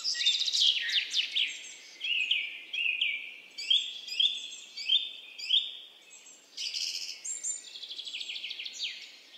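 Alpine accentor giving high, rapid trilling and warbling phrases, with short rippling notes repeated about once a second, then a busier chattering run.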